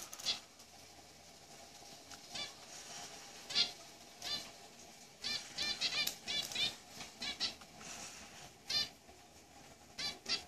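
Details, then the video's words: Zebra finch singing a busy run of quick, buzzy, stacked notes in clusters, with brief pauses between bursts and a steady low hum underneath. "ZEBRA FINCH"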